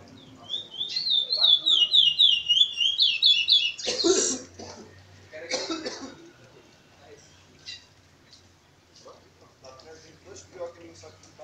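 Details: Curió (Chestnut-bellied Seed Finch) singing a continuous song at Maiobão, Paço do Lumiar, Maranhão: a quick run of rippling whistled notes for about three seconds, then coughing, throat clearing and a man's voice.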